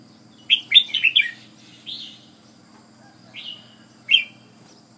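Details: Red-whiskered bulbul of Ubon, Thailand, delivering a quick run of four chirpy warbled notes, then slower single slurred whistles after pauses, against low steady hum.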